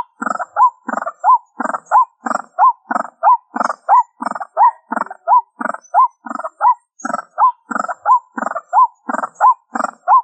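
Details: Ruak ruak lure call of the white-breasted waterhen: continuous looping series, each cycle a coarse grating burst and a short rising whistle, repeated around fifteen times at a regular pace against silence.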